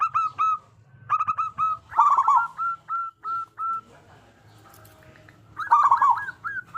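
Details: Lure song of a loud local zebra dove meant to make other zebra doves call: trilled phrases break into a string of evenly spaced hooked whistled notes, then a pause and a fresh trilled burst.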